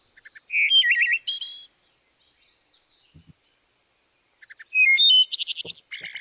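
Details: Wood Thrush sings two phrases, each opening with soft low notes, then clear fluting whistles and a high, shimmering trill; its two independent syrinxes sing two songs stacked on top of each other, creating harmonics.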